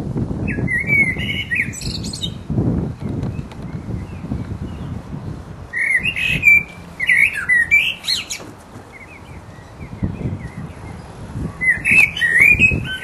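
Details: Resident blackbird in full voice giving its mating song: three mellow, fluted warbling phrases spaced several seconds apart, each ending in a high, thin twitter, with low rumbling background noise in between.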